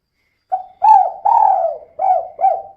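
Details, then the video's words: Female spotted dove giving its 'kuk 2' call, used as a lure to make other birds sing: one mellow phrase of five coos. A brief opening note, a swelling arched note and a drawn-out sliding note lead to two short coos. "Suara Burung Tekukur Betina Gacor Kuk 2 Untuk Pancingan Biar Cepat Bunyi"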